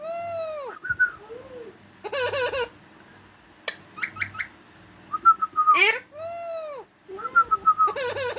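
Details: Parrot calling out its own name in a mix of voice-like sounds: arched nasal calls, buzzy wavering harmonic phrases, clipped whistles and a sharp rising squawk, repeated in irregular bursts.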